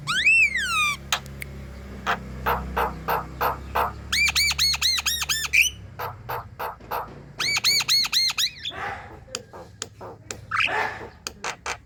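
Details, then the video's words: Javan myna in moult, energetic chattering used to prompt birds to sing morning, noon and night: a drooping whistle, dry clicks, fast repeated arched whistles, harsh rasps and scratchy bursts over a faint hum. "Ngoceh gacor jalbo mabung~Coba,..Untuk pancingan bunyi Pagi Siang dan Malam hari"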